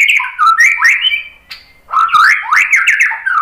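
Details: White-rumped shama song meant to spur other birds to sing, made of fluty rising and falling whistles and squawky notes in two quick bursts split by a brief pause.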